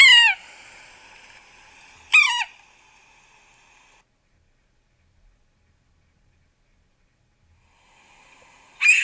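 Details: Yellow-bellied sapsucker giving three loud nasal, mewing squeals, each sharply descending and rich in harmonics, spaced about two and seven seconds apart, with a faint lingering echo after the first two and quiet gaps between.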